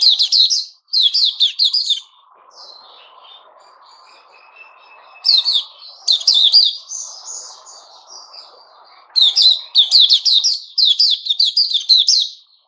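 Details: White-rumped shama singing "sing buka" song, 29 August 2021: three bursts of rapid loud chattering and whistled notes, broken by quieter stretches of soft, thin whistles with faint low murmuring behind.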